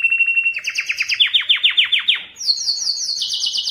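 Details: Canary singing to attract females for breeding, a Belgian type: a steady trill breaking into a run of rapid descending slurred notes, then a high fast-pulsed trill stepping down slightly.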